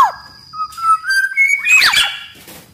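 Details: Black-naped oriole from a master-song recording for training kepodang: a string of pure, rising whistled notes climbing stepwise, followed by a harsh, noisy burst, over a soft low background rumble.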